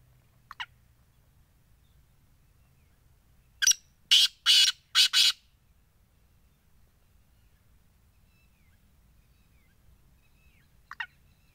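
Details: Black francolin: a brief faint note, then a loud grating phrase of four rasping, high bursts packed into under two seconds, and another faint note near the end. Quiet background.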